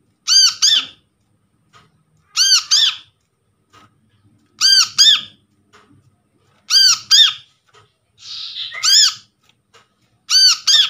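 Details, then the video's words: Brown-throated Sunbird lure calls recorded from trapped birds. Paired rasping, harmonic arched notes repeat roughly every two seconds, with one brief noisy burst among them and quiet background. "PANCINGAN BURUNG KOLIBRI KELAPA"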